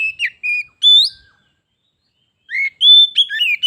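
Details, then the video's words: White-rumped shama, a caged pet and a wild bird competing in song before fighting: short clear whistles and slurred notes in two brief bursts with a gap between. "Kacer _adu suara sampai jadi bertarung/fight"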